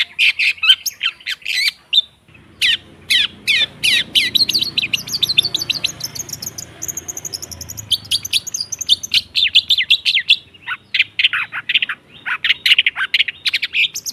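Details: Long-tailed shrike song played to spur silent shrikes into singing: bursts of sharp chirps and rapid chatter, a stretch of faint high ticking over soft background hiss, then renewed lively phrases.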